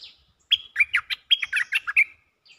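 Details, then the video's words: Cream-vented bulbul mating call, two rapid phrases of bubbly, gurgling notes with sharp high whistled accents, each phrase about three-quarters of a second, delivered back to back. "เสียงนกดอกแตงEp.155 สับไม่หยุด!! เสียงเรียกคู่ เพลงดี ร้องวน Suara pikat merbah lekir gacor"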